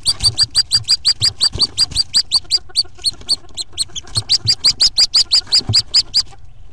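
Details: Hooded Merganser ducklings in a nest box before all fourteen jumped at 11:05 AM on April 2, 2014. Loud, evenly spaced high peeps, roughly three per second, briefly loosen midway and then resume steadily.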